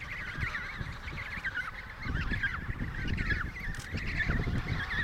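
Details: Emperor penguin chorus at the Riiser-Larsen colony, Antarctica (72°06 S, 15°06 W), November 2010: many overlapping warbling, trumpeting calls that waver up and down in pitch, over a steady low rumble of wind.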